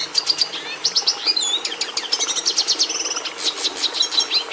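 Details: Red siskin, a species prized by breeders for bringing red colouring into the domestic canary, singing a fast twittering song of high chirps, trills and buzzy runs with quick downward slurs, phrases following one another without pause.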